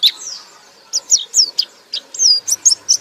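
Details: Loud ngekek-style white-eye song: a sliding whistle, a short gap, then a run of high, bright chirps roughly every quarter second, ending in a quick twittering cluster.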